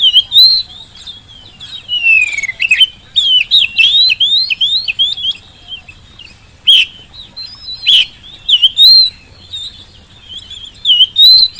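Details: Energetic Oriental magpie-robin song used as a lure to prompt silent birds, at home or in the field, to reply: a rapid, varied stream of rich whistles, swoops and sharp chirps, nearly continuous with brief pauses.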